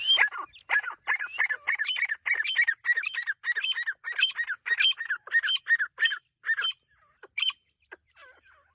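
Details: Irani partridge (teetar) calling: a fast series of harsh, squawking notes, about two a second, steady for nearly seven seconds, then a few scattered notes before fading out.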